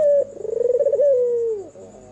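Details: One complete coo phrase from a red-eyed albino white turtle dove singing at night: a clear opening note, a fast pulsing roll, then a smooth note gliding slowly downward before fading. Steady background hum.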